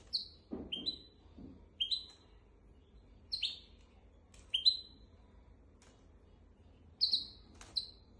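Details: Goldfinch x canary hybrid singing to teach goldfinches and canaries: clear, high, slurred two-note chirps repeated every one to two seconds, with occasional low thuds.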